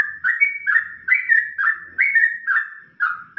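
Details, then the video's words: Clean yellow-vented bulbul song in ropelan style for tutoring songbirds: loud, bubbly whistled notes looping up and down, roughly one burst each half second, with no other sounds. "Kombinasi Ropelan Trucukan WK untuk Masteran"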